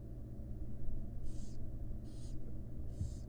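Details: Three evenly spaced breathy hisses from wild barn owl chicks begging as their mother feeds them inside a monitored nest box, over a low constant hum.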